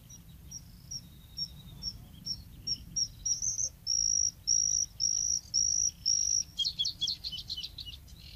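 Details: Bluethroat (Luscinia svecica) singing at Woumen in 2018: a run of clear, high whistled notes repeated in quick succession, growing longer and louder, then breaking into a rapid, buzzy, varied warble at the end. Low background rumble.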